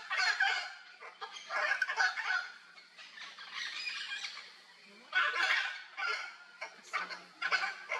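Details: Wild Hyacinth Macaws at play in Brazil: series of harsh, rasping squawks in uneven groups, a quieter stretch midway, then renewed loud calling.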